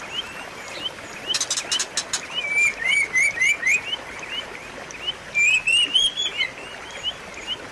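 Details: White-rumped shama song meant to restart a silent bird's singing: a rattling burst, then phrases of fast, slurred, rising whistles repeated in quick series, over steady faint upward chirps.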